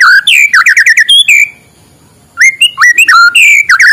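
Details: Morning song of a white-rumped shama, meant to spur lazy shamas into singing: fast slurred whistles and a high sweep, a pause of about a second, then varied rising and falling whistled phrases.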